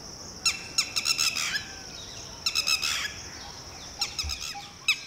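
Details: Red-wattled Lapwing (titehri) parent alarm calling, ordering its newly hatched chick to duck and hide: sharp, strident harmonic notes in quick clusters separated by pauses, over a steady high pulsing insect chorus.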